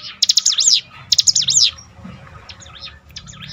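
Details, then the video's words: Bar-winged prinia song for training a bird's mettle: two loud buzzy rising-falling phrases, then fainter distant repeats, over a low murmuring background. "bikin ciblek gunung Ngetop || down mental bangkitkan lagi"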